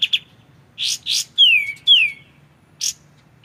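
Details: White-shouldered triller, kapas tembak, in a clear tutor recording for magpie-robins: two quick chips, two rasping bursts, two loud descending whistles, then a single harsh note, separated by short pauses.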